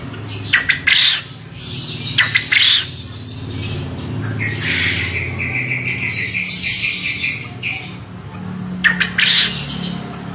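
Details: A male contest quail gives sharp, high squawking bursts, a few in quick succession, then pauses; a lower rattling chatter runs between them over a low background hum.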